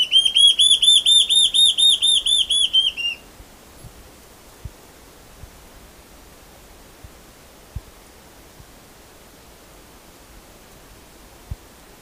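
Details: Large-tailed antshrike (borralhara-assobiadora) singing a three-second run of clear, rising whistled notes, about a dozen in quick succession, then near silence broken by scattered faint clicks.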